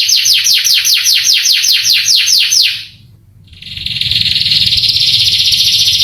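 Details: Canary song used to stir young canaries: about a dozen quick downward-sweeping chirps, a short pause, then a continuous high buzzy trill.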